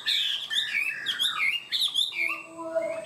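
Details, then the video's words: Chinese hwamei songbird in 'cao cầu' high singing style: fast tumbling whistled notes that swoop and flick, ending in a few level, drawn-out tones with a faint high whine behind. "Chim họa mi hót cao cầu, ra mỏ nhanh ổn định"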